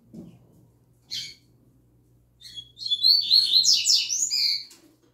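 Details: Double-collared seedeater youngster kept in a cage, singing its learned "tui tui zel zel" song. A lone sharp chirp comes first, then after a pause a two-second run of high, quick, slurred and buzzy notes rising toward the close.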